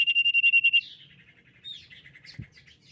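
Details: Common iora lure song meant to get other ioras singing: a short, loud pulsed trill of about nine beats, followed by a soft jumble of warbled notes and a thud.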